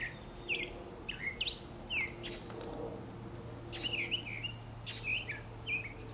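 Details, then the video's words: Morning mockingbird song as other birds and animals eat: clear, bright whistled phrases that swoop up and down, delivered in quick, varied snatches with short gaps and a faint steady hum underneath. "Mockingbird Serenade"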